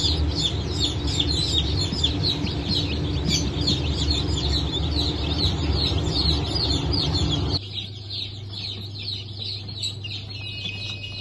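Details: Chickens of the Brahma, Fizan, Sultan and Appenzeller breeds, newly hatched on 9 May 2024. Many shrill, falling peeps come rapidly together over low machine-like hum. The chorus grows quieter and sparser after about seven seconds.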